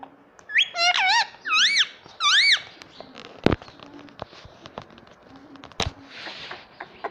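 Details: Indian ringneck parakeet kept as a pet chirping: three or four squeaky, wavering calls in quick succession, followed by quiet room noise with a few clicks and knocks.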